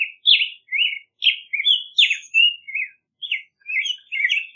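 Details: Song of a black-headed grosbeak: rich, robin-like warbled notes in quick succession, alternating higher and lower slurred phrases with thin high overtones, continuing steadily with short pauses, no other sounds.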